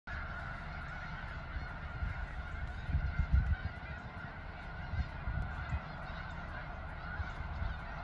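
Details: A few snow geese recorded on 23 February 2020 produce a steady, blended chorus of honking calls, with a few louder low bursts standing out midway.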